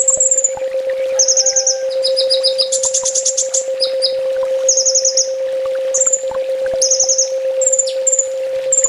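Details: Full tembak master song of a ninja sunbird for training cage birds, packed with rapid high trills, one broad buzzy outburst, and quick thin whistles near the end, all over a steady low hum.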